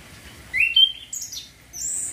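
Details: Short Chestnut-capped thrush song fragment, used to spark breeding urge: a clear rising whistled note, a thin high slur, then a sustained very high whistle over faint low rumble.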